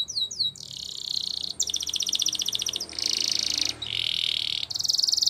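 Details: Champion Spanish Timbrado canary singing in long blocks of dense, metallic rolling trills, each lasting about a second, separated by short breaks, with a few quick downward sweeps at the very start.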